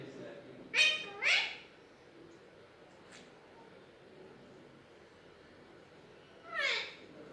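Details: A pet talking Alexandrine parakeet ("mitthu") gives two quick, harsh, word-like utterances and then a third a few seconds later, each with a falling tail, over a quiet background hiss.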